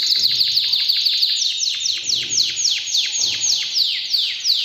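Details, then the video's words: Excited canary singing a steady rolling series of high notes, each sweeping sharply downward, repeated about three times a second throughout, loud and clear. "تغريد طائر الكناري اجمل غناء و صوت كناري ستسمعه روعة"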